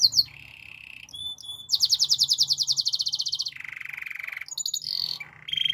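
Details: Belgian canary morning song with a lower trill, a few high clicks, a loud rapid pulsing tour, a deep buzzy roll and short whistled phrases to finish.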